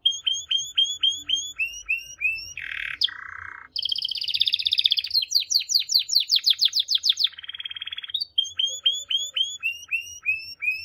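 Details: Canary delivering a varied song: repeated falling whistles, a harsh buzzy burst, dense high rolling trills, fast chip series, a flat steady tour, then falling whistled notes again.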